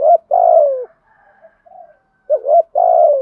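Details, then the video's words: Spotted dove, male and female decoy coos used to stir caged doves into cooing; low hollow coos near 600, each a short rising note then a longer falling drawn-out coo, with faint softer notes between, repeated. "tiếng chim cu gáy mồi bài bản, chim cu gáy kích bổi xiếng gáy"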